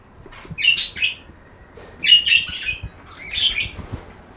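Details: Budgerigar chirping in three separate bursts of harsh, scratchy warbling chatter, each about half a second long and spaced roughly a second and a half apart.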